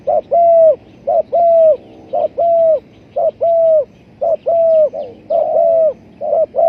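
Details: Spotted dove used as a lure for trapping birds, cooing loudly and steadily: a short note followed by a longer, slightly falling coo, the pair repeated about once a second.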